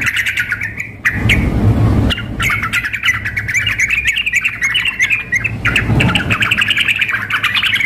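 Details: Contest-simulation mix of a sooty-headed bulbul female calling the male and an excited male: rapid bubbling chatter broken by a brief gap, with thumping low noise at intervals.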